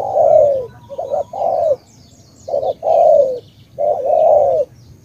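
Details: Spotted dove from Cà Mau, Vietnam, in the tú cooing style: low mellow coos in short phrases, each ending in a longer drawn, slightly falling note, with clear pauses between phrase groups.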